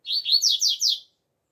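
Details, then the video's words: Double-collared seedeater, song style known as coleiro alegria tuí tuí zeo zeo, recorded in the open air: a clear phrase of about five high whistled notes, early ones rising, later ones sliding steeply down, in near silence. "COLEIRO ALEGRIA TUÍ TUÍ ZEO ZEO CANTANDO AO AR LIVRE"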